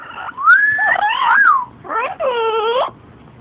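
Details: Pet female yellow-naped amazon chattering indoors with its owner, producing warbling, voice-like gliding notes that rise and fall, then a nasal drawn-out phrase dipping in the middle, amid soft room noise.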